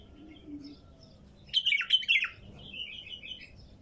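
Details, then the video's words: Song of a wild female bulbul, with quiet notes leading into a loud, tumbling run of liquid, slurred whistles and then a softer series of repeated rounded whistled notes. "تغريد بلبل نثيه وحشي"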